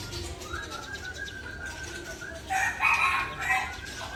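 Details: Agitated Murai Aceh, a white-rumped shama, unloading its learned fill-in phrases: a long, steady whistle held for about two seconds, then a loud, rich, buzzy burst of rapid notes near the end.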